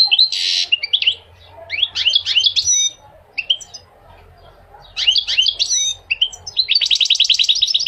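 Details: Repeated bursts of goldfinch song, jingling twitters and buzzy notes in several phrases separated by short pauses, closing with a rapid metallic trill.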